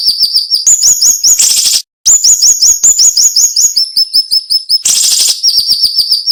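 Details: Cinnamon-bellied flowerpecker in tight masteran phrasing: rapid high ticking runs at several pitch levels, around 160 notes a minute, with two brief harsh buzzing bursts and one short pause.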